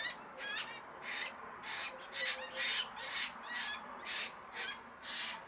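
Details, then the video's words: Family of choughs feeding, with a harsh, buzzy call repeated about twice a second in a steady series of rasping notes over quiet background. "Family of feeding choughs"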